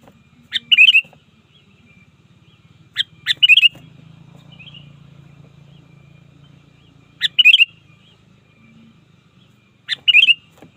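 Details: Trained sooty-headed bulbul calling opponents in the wild: sharp note followed by a fast bubbly warble, repeated in pairs and singles with a steady low droning hum in the background.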